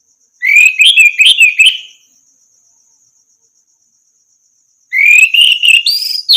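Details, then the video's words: Training recording of orange-headed thrush song: a lively phrase of rising whistles and quick chattered notes lasting about 1.5 seconds, a pause of nearly three seconds, then another rapid, rising, warbled phrase, all over a thin steady high hum. "masteran burung anis merah macet bunyi langsung nyaut gacor"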